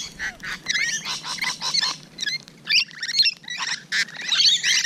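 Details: Close encounter with Rainbow Lorikeets on a June morning: rapid, grating screeches and squeaky chatter repeated about twice a second, irregular and overlapping.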